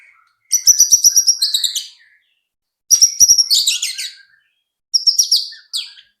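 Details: White-rumped shama song played to provoke other birds into singing: three loud, rich bursts of rapid high chattering notes, each lasting about a second and a half, with clean silent gaps between.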